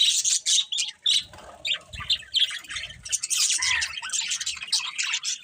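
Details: Budgerigars as pets give harsh squawky chirps and high scratchy twitters in uneven bursts, growing busier toward the end, with soft low thuds.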